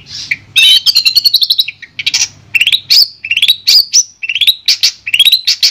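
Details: Clear tutor song of a Madura long-tailed shrike: varied phrases of quick upslurred whistles, fast chattering runs and sharp high notes, delivered loudly in short bursts with small pauses between.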